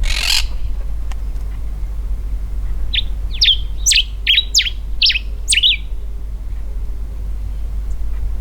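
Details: Common diuca finch singing its powerful territorial song from a raised perch in algarrobo woodland, Mendoza, Argentina, breeding season; a short phrase of about six clear, sharply falling whistled notes, with a thump at the start and steady low rumble behind.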